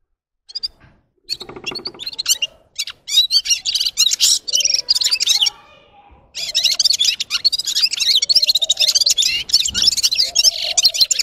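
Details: Red-fronted serin, called gulsir, sings at length: a sustained, rapid, high, tinkling twitter that breaks off briefly near the middle. A softer, lower warbling sound runs beneath it at times.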